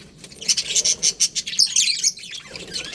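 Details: Budgerigars kept in a colony give a rapid run of short, sharp high chirps at a steady pulse, then a busier warbling chatter of overlapping notes before fading.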